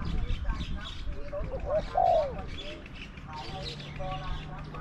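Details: Spotted dove coo during decoy trapping, with a caged decoy bird matched against wild doves whose voices range from small to medium. A short low note comes first, then a louder drawn-out falling coo. Murmured talk and faint chirps sit behind it.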